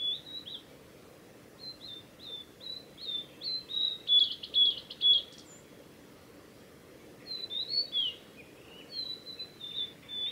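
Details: Singing male Blue-and-white flycatcher, Mizusawa forest road in Tanzawa, Japan, 8 June 2020: a series of short whistled notes leading into a harsh buzzy trill, then a gap and another whistled phrase with downslurs.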